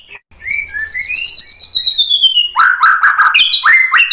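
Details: White-rumped shama song used to provoke other birds into singing, a long sliding whistle slowly falling in pitch, then loud rapid bursts of rich chattering and varied mimicked phrases.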